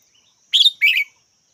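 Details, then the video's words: Red-whiskered bulbul uttering a clear two-syllable call, a bright trilled chirp then a lower, fuller warbled note, clean and close with little background. "Chào mào mắt chắng"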